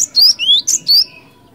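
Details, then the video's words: Cinereous tit song used as a lure: bright high whistled notes, rising slurs repeated four times in rapid sequence, then fading to quiet. "Suara ASLI Glatik Batu Gacor Ngeeerool Ngeplong, 100% Ampuh Buat Pancingan"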